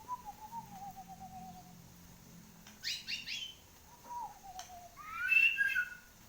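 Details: Kept white-rumped shama singing actively after its moult: a slow series of soft, falling whistled notes, then a short burst of rapid buzzy chips, another falling whistle and a loud, varied warbled phrase at the end.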